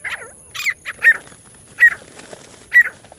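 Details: Lure call for catching partridges: loud, harsh, rasping notes given singly or in short bursts with uneven gaps, against a quiet background with faint hiss.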